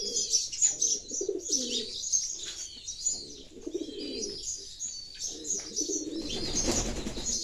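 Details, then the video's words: Pigeons give low, soft throaty coos in short rolling phrases, almost buried under constant busy chatter of high sparrow chirps. "the sounds of pigeons"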